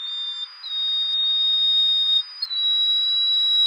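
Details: Yellow-bellied Bush Warbler, a Taiwan endemic subspecies and resident bird, at Tataka, Taiwan, on 9 April 2015. Long, thin, pure whistled notes held at a steady high pitch, broken by short gaps, with a slight step up between notes.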